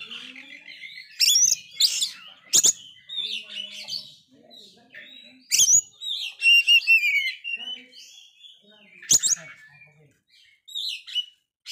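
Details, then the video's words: Oriental magpie-robin, a kept bird described as failing to moult yet singing very vigorously, used to provoke and rouse other magpie-robins. Loud bursts of varied whistles, rapid trills and harsh notes come in clusters, with pauses and faint low sounds between. "Kacer gagal mabung ini sangat gacor sekali Cocok Untuk mancing Mental kacer drop"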